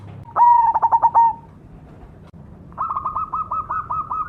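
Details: Cemani zebra dove giving one loud stuttering coo phrase of quick pulses, followed by a softer, slightly higher series of rapid repeated notes from another dove.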